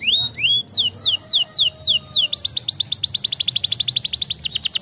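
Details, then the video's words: A canary sings a bright, high run of repeated falling whistles that speed into a rapid, even trill, over a faint low hum; offered as song to stimulate lazy canaries to sing. "goede kanarie! zeer effectief in het stimuleren van het geluid van luie kanaries"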